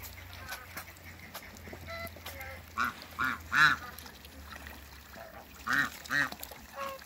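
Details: Toulouse and African geese kept in a backyard with other waterbirds; loud nasal honks in bursts around the middle and end, short harsh notes repeated irregularly, over a low steady hum.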